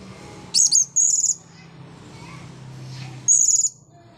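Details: Shrill thin squeaks from a blue-crowned hanging parrot after bathing: a quick pair of high notes, a slightly longer third, then another sharp burst after a two-second pause, with quiet low hum behind.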